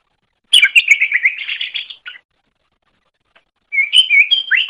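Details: Greater green leafbird master song for training other birds: a dense, buzzy run of chattering notes, a silent gap of over a second, then a final burst of varied whistled chirps.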